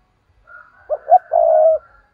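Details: Decoy spotted dove, local 'giọng thổ' voice: a soft lead-in, two short coos and a long even note, with a thin higher whistle running faintly behind.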